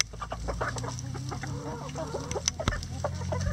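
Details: Chickens in a coop giving short, scattered clucks over a steady low hum, with a few sharper clicks and knocks mixed in.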